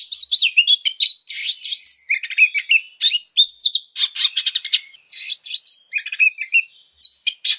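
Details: Fighting song of an oriental magpie-robin, used to lure other birds: dense run of harsh grating bursts mixed with sharp whistled slurs and short trills, delivered nonstop at high pitch in a clean recording.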